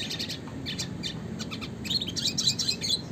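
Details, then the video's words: Red siskin in classic lively song used to tutor songbirds, a busy, scratchy twitter of very high chirps that thickens in the final second, with steady low background noise. "kicauan suara burung red siskin klasik gacor"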